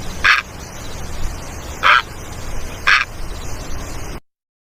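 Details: Great egret uttering three brief rasping croaks, spaced one to one and a half seconds apart, followed by silence.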